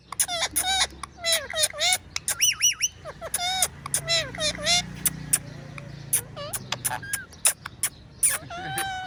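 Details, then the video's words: Tame, playful talking pet parrot, very friendly and fond of kissing; a varied run of sharp whistles, rising and falling tonal notes and clipped squawks, with a person's voice faint in the background. "Parrot Sounds | Talking Parrot"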